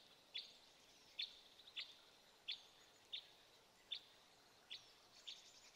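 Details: Red crossbill giving single sharp high chip notes, spaced roughly every half second to second, fairly faint over steady background hiss.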